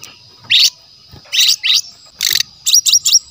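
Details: Brown-chested jungle flycatcher recorded in the wild forest, natural song used as a lure. Short harsh buzzy bursts with pauses between them, then three quick sharp rising notes.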